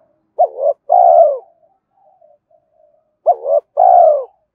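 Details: Luring coos of a spotted dove: two paired phrases about three seconds apart, each a quick warbled hoot followed by a drawn-out, mellow, falling note. Faint soft notes fill the gap.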